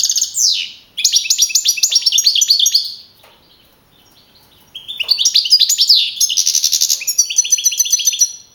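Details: Young male European goldfinch that won a 2012 singing contest in Navalcarnero, Spain; two long bursts of rapid tinkling twitters and rattling trills separated by a quiet gap.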